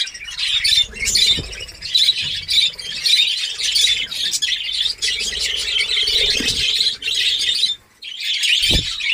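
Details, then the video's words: Captive budgerigar colony starting to breed, Darbhanga, Bihar: constant high chattering and squawking from a crowd of birds, with low humming background noise, a near-silent gap close to eight seconds, and a thump afterwards. "Badguies Parrot New Colony Ready // Badguies Parrot Breeding Start //"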